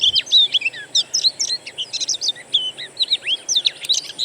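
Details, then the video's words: Natural birdsong played as a lure to make a kept Oriental magpie-robin sing: lively run of rich whistled notes and looping slurs, evenly spaced bursts, mild background hiss. "PANCINGAN KACER; masteran burung alam sangatlah ampuh"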